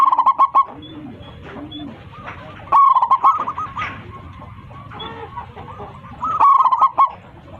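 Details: Local zebra dove singing loudly from a raised perch, calling its flock: rapid staccato bursts of rolling cooing notes, three loud phrases spaced about three seconds apart, with fainter similar cooing from other doves between them.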